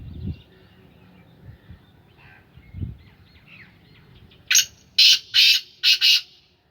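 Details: Black francolin (kala teetar) of the Sindhi Gangas strain, held in captivity, calls after low rumbling handling noises: five harsh grating notes in under two seconds, one short opener followed by longer notes and a paired ending.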